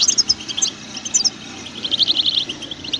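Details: Goldfinch batbata song, used to make a pet bird sing and become lively: clusters of sharp, high tinkling notes, then a run of fast, evenly repeated chirps near the end.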